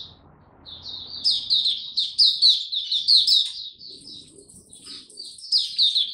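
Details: Male white-eye whose song is maturing, recorded 9 February 2022: after a quiet start with low hum, quick sweet high chirps tumble out, fade briefly, then return with a thin steady high whistle behind.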